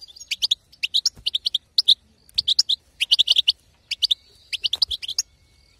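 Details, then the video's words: Female European goldfinch batbata chatter, meant to make the male goldfinch sing: clear, high, rapid twittering notes in tight clusters of three to six, repeated with short gaps on a quiet background. "بتبتة حسون وطنطنة تجعل الحسون يغرد"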